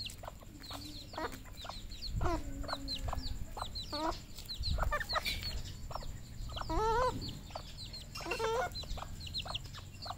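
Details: Farm-kept red junglefowl in Cambodia, several birds calling together: loud harmonic squawks and clucks mixed with a scatter of high, falling peeps over a constant low background hum.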